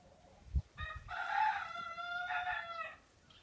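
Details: Frizzled Pekin hen, one of two blue-and-white mottled females that began laying after a long moult, utters a single sustained, nasal, harmonic call lasting about two seconds over soft low rumbles.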